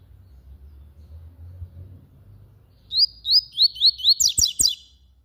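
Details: Yellow-bellied seedeater in full song after a quiet start: five high, upward-slurred whistled notes in quick succession, then a rapid buzzy twitter broken by two sharp clicks, over a faint low hum.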